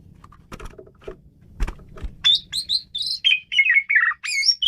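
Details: Asian pied starling in vigorous song: a few dry clicks at first, then a steady run of loud whistled phrases, each sliding up or down, given almost without pause.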